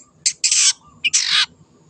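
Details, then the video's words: Two long, grating squawks from a wild long-tailed shrike, each introduced by a short sharp note. "PANCINGAN CENDET GACOR SUARA BURUNG LIARAN"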